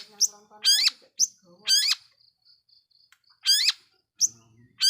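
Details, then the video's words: Long-tailed shrike lure song for provoking rivals: loud, rasping, ladder-like harsh notes alternate with short high squeaks and softer low chatter, spaced with brief silences. "Awas...!! bikin ngamuk burung MERTUA...! || Pancingan Cendet Gacor"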